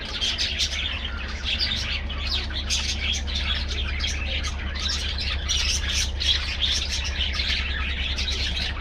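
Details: Aviary colony of budgerigars in full chatter, steady dense twittering and buzzy squawks from many birds, set against a loud continuous low hum.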